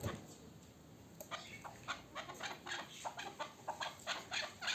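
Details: Young local chukar partridge from last year, starting quietly and then giving a series of sharp chuk notes, about three per second, growing louder toward the end.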